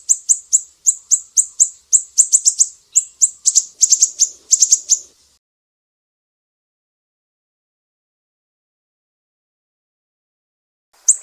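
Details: Mangrove whistler from Sumatra in a master recording for training songbirds, besetan style: rapid series of sharp, very high ticking notes, some doubled, for about five seconds, then silence and one final note.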